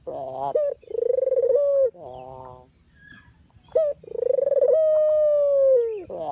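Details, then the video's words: Dove call used as a trapping lure. Two rolling coos, trembling at the start and then smoothing into a long sustained tone, with a quiet pause between them and a sharp rising note before the second coo. "suara asli burung puter/deruk buat isian,pikat dan pancingan"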